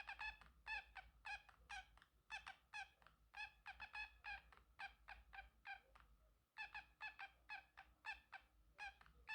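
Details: Male Pacific parrotlet kept as a pet, making varied sounds: a steady, fast chatter of short clipped notes, several per second, with a brief pause after about six and a half seconds before resuming.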